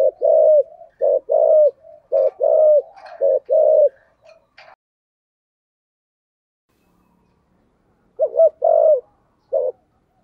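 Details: Spotted dove cooing in the 'giọng thổ' voice: rounded low double and triple coos with falling tails, delivered rapidly for about four seconds, a pause of quiet, then a short burst of coos resuming near the end.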